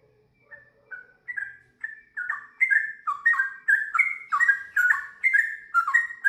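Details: Sooty-headed bulbul song that opens with soft, spaced notes and swells into loud, rapid, liquid whistled phrases, about two each second, in a long run with varied twists.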